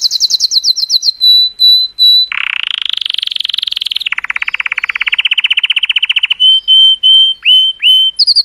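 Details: Singing colour canary aiming to stimulate females: quick high notes, a buzzy rolling passage, a long steady rattling trill, then separate whistles with downward flicks.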